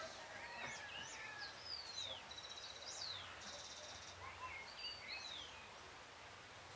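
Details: On a full moon night, 13 June 2022 at 6:26 PM, a Great thrush sings faintly, mixing whistled downslurs, quick rising notes and a brief buzzy trill over steady background hiss.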